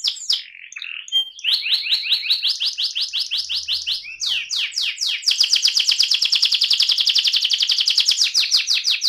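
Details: Rolling (ngerol) song of an AF canary: a few scratchy notes and a brief high tone, then tours of fast repeated down-slurred notes ending in a dense, loud, rapid rolling trill.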